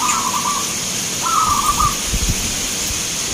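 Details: A zebra dove (perkutut lokal) sings at a contest in Grabag, Magelang, Indonesia. Two quavering coo phrases follow each other closely, the second longer and rippling, over constant hiss and low crowd-like rumble.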